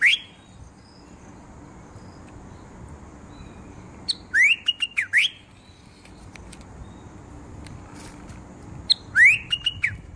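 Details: Bulbul repeating bright whistled phrases: a rising note near the start, a cluster of rising whistles and chips around four to five seconds, and another similar phrase near nine seconds, separated by quiet stretches.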